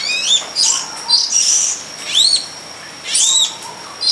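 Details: Wild long-tailed shrike, described as the pilis type, singing outdoors. Thin whistled notes arch up and down, given in short bursts about every second, with a faint steady high tone running beneath.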